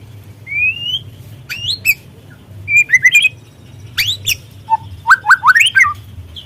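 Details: Young spotted White-rumped shama singing, used as a lure to stimulate other shamas to sing: clear rising whistles, sharp high click-like notes and short warbled phrases separated by brief pauses, over a low steady hum.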